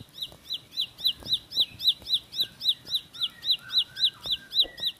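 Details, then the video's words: Bar-winged prinia (ciblek pari) singing a fast roll song: a regular train of sharp, rising chip notes about four per second, with a few softer higher whistles from another bird mixed in. "Tembakan Roll Spead Ciblek Lagu Full Kolibri"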